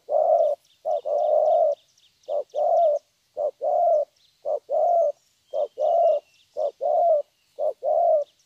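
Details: Young spotted dove, wild-caught, with a strong 'thổ' cooing song: evenly spaced pairs of low coos, a quick note then a longer one, repeated steadily for several phrases, with light chirping of small birds above.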